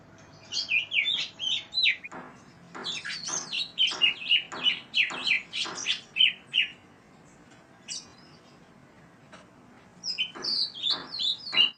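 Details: Lively greater green leafbird song for training other birds: a fast chattering run of high chirps and whistles for several seconds, a lull with a lone note, then another quick burst.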